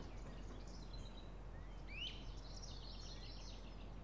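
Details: Great crested flycatcher filmed in North America gives a single sharp, rising whistled wheep over a steady low background rumble, with faint chirps from other birds.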